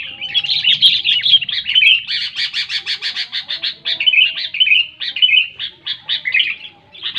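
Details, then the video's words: Loud sooty-headed bulbul song meant to coax silent bulbuls to sing: rapid, bubbly chatter, then a stretch of quick even pulses repeated several times a second, followed by more warbling phrases. "SUARA BURUNG KUTILANG NYARING SANGAT TEPAT UNTUK MEMANCING KUTILANG MALAS BUNYI LANGSUNG GACOR"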